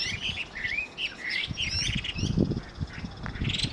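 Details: Two Chinese hwamei calling in the evening, mixing harsh squawks with whistles; short whistled and slurred notes around the middle-high range come in quick bursts over a steady low rumble of wind or handling noise.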